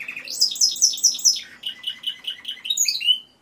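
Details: Timbrado canary song: a rapid trill of high repeated notes, then a lower run of evenly spaced rolling notes, ending in a rising flourish, over faint low background hum.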